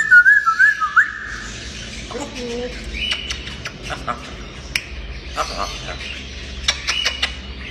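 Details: Playful talking grey parrot: a short wavering whistle opens, followed by a scatter of sharp clicks and squeaky snippets at irregular intervals over a quiet background.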